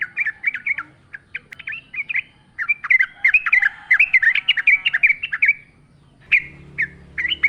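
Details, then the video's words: Yellow-vented bulbul in energetic song in the wild: a long, lively chattering warble of rapid, looping notes running for several seconds, followed by a few separate chirps. "trucukan gacor ngalas full suara alam"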